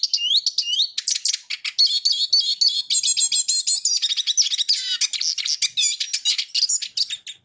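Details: A Eurasian siskin opens with a few upward-sweeping whistles, then pours out an unbroken, hurried stream of twittering, trilling and warbling notes.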